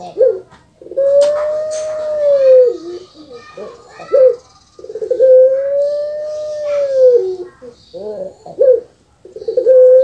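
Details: Puter pelung dove kept at home, giving two long smooth coos that rise slightly and then fall, each followed by short hiccuping notes, with children's voices in the background.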